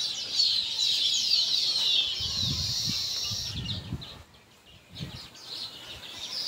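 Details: Zebra finch pair chattering in a dense stream of high, thin chirps and nasal notes, with soft thumps beneath; Zebra finch.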